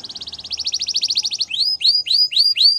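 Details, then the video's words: Gloster canary training song: a fast even trill of pulsed notes gives way to five loud, evenly spaced swooping whistles. "Gloster Canary Singing | Canary Training Song"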